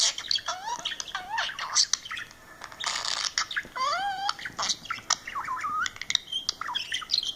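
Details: A male budgerigar, watching a video of himself on a phone, chatters in a fast run of squeaky warbles, clicks and bending whistled notes.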